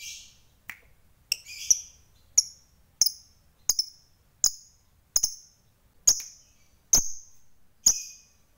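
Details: A lovebird of the fighter sort sends out short, sharp, high chips about once every seven-tenths of a second, nearly a dozen in a row, clean and bright against near silence, meant to rile rival birds.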